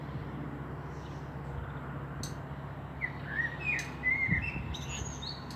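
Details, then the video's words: Common blackbird singing in Meschede, Germany, on 18 May 2021 near a pair of fieldfares; a brief series of mellow fluted, rolling notes with a few high thin twitters and clicks over a low steady hum. "Sehr schöne singende Amsel"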